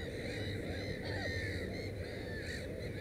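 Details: Black-headed gulls at a nest with three chicks, 15 May 2016, give harsh, overlapping croaking cries in a busy colony din, with a low rumbling background throughout.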